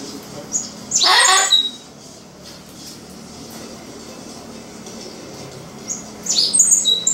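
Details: Amazon parrot indoors calling to a white cockatoo upstairs: a loud, harsh squawk burst early on, a stretch of quiet room tone, then a second shorter harsh call near the end.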